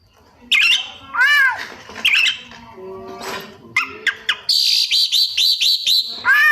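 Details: Caged white-rumped shama, known locally as kacer, singing a varied song full of mimicked phrases of other birds: rich curved whistles, harsh squawky notes, then a rapid run of bright repeated notes near the end.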